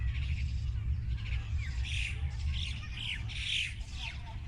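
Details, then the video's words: Wild birds chirping outdoors: several short, high, downward-curving chirps spaced about half a second apart, over a steady low rumble of wind or distant hum. "Listening To The Birds Chirping"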